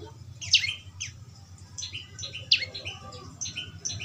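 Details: Sparse, thin high chirps and short squeaks from a young prinia, a few notes spaced about a second apart over soft background hum; natural sound meant to prompt a kept bird to start singing.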